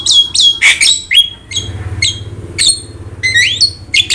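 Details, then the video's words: Starling (jalak) singing for bird training: scratchy squawks and sharp upslurred whistles in short clusters, separated by a quieter stretch of low droning hum. "PANCINGAN DAN MASTERAN BURUNG JALAK"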